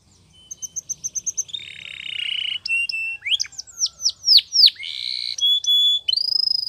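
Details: Training song of a Spanish Timbrado canary, morning: a soft run of repeated pips, a low buzzy trill, then looping swooping whistles and sustained whistled tones.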